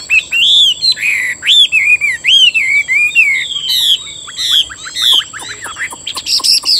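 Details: Caged Chinese hwamei sings a lively stream of bright, slurred whistles, some wavering and some sharply falling, followed by crisp harmonic-rich phrases and short chips; steady high electronic tone underneath.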